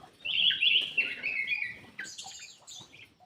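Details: Black-crested bulbul singing as a lure for quiet birds: a dense, fast run of whistled, chattering notes over steady background noise, ending in higher, scratchier phrases.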